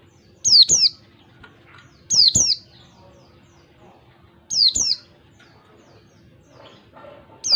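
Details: Wild oriental white-eye calling in a one-two-three beat pattern, used as a lure for caged white-eyes: paired high, sharp, down-slurred whistled notes repeated at irregular intervals of about two seconds, over a faint low steady hum.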